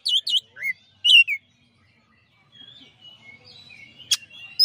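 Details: White-rumped shama, a champion bird, giving a master song: a few loud fluty whistled phrases, a pause, then quieter twittering and a sharp click.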